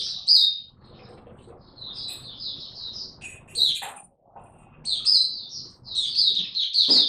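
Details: High-pitched twittering song from a caged Oriental white-eye in training, delivered in bursts of quick warbled notes broken by short pauses and a few sharp chips, over a quiet low background murmur.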